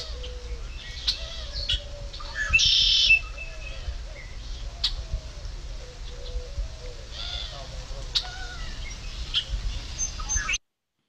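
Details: Red-winged Blackbird giving its hard, sharp 'check' call notes, often heard in spring, spaced irregularly every second or few seconds, over a low steady hum and faint chirps from other birds.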